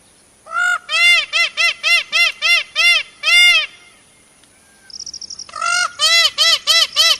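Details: Indian peafowl calling in rapid bursts of short, loud, ringing honks, roughly three per second, with a brief pause and a thin high chatter from another bird before the honking series resumes.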